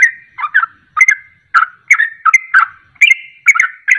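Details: Sooty-headed bulbul singing in ropelan style, a lure to get other birds to sing: mellow gurgling whistles mixed with short sharper notes, given in uneven quick bursts.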